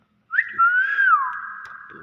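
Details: Common hill myna producing a single loud whistled note that rises gently, then drops and trails into a long held tone, with faint human voices at the edges.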